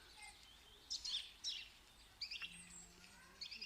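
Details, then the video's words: Sharp, high bird chirps in quick bursts of two or three, spaced irregularly at about one burst per second, over quiet background noise with a faint low hum. "Amazing sounds of the bird"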